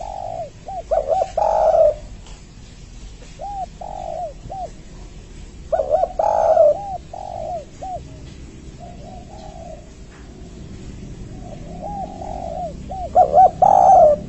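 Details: Spotted dove (tekukur) giving a three-note 'kuk' coo used to lure and call other doves, male or female, for trapping. Bursts of hollow, arched coos every few seconds over steady background hiss and hum.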